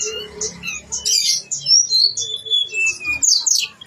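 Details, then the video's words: Blue-winged leafbird (tledekan gunung) singing energetically with its full fill-in repertoire: harsh squawky bursts mixed with thin sliding whistles and sharp chips, in uneven varied phrases over a faint low hum. "Kicau Tledekan Gunung Gacor Super Istimewa ||| Isian Keluar semua..."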